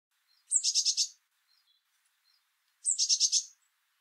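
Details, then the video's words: Eurasian blue tit singing its high-pitched song: two thin phrases, each a sharp opening note dropping into a fast buzzy trill of about five notes, about two seconds apart. "Blue Tit (Cyanistes caeruleus) picture & tweet"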